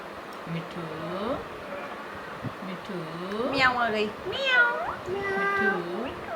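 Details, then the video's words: Indoor talking Indian ringneck parakeet mimicking a cat's meow and words: drawn-out curving meow-like notes, some rising then falling, spaced irregularly over faint room noise. "Talking Indian ringneck"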